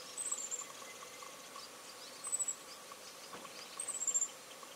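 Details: Grey-chinned minivet at Tengzhi Erjituan, Taiwan, 3 March 2023: three bursts of very high, thin, slightly descending twittering notes at intervals of about two seconds, over faint steady background noise.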